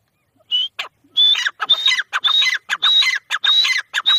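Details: Grey francolin calling: loud, ringing phrases, each opening with a high whistled note that rises slightly, followed by harsher chattering syllables, repeated in quick succession after a few short introductory notes.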